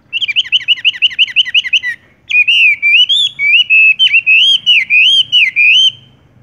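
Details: Horsfield's bush lark (wambie) singing tung roll: a rapid trill of about sixteen notes, a short pause, then a long warbling whistled phrase that wavers up and down.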